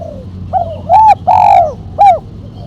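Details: Spotted dove, mercik-style call ending in a sharp single kuk, for luring and training: a soft lead-in coo, a short note, two long arched coos and a crisp closing coo, clear against quiet background.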